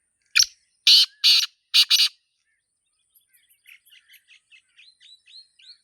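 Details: Wild black francolin, known locally as Sindhi teetar, gives a loud call outdoors: a clipped note, then harsh scraping bursts, the last pair close together. Soft, quick chirps from other small birds follow.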